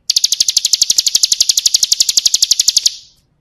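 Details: Bar-winged prinia (ciblek kristal), full-content song for tutoring caged birds: a fast, dry, high-pitched trill of sharp ticking notes, about eleven per second, held steady for three seconds and then stopping cleanly.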